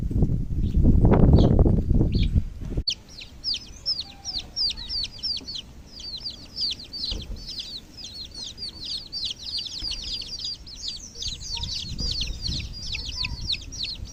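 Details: Chicken chicks peeping: after a loud low rumble at the start, a rapid stream of high, thin, downslurred peeps runs almost continuously, several per second.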